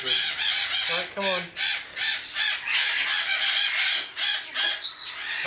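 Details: Captive-bred juvenile Congo African grey parrots (Psittacus e. erithacus) from the 2009–2010 breeding season give harsh, rasping screeches, about three a second in a steady run, with a person speaking briefly.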